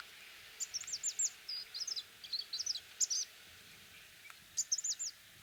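Orange-breasted sunbird giving quick bursts of thin, very high twittering notes, a run of about two and a half seconds, then a brief repeat after a pause.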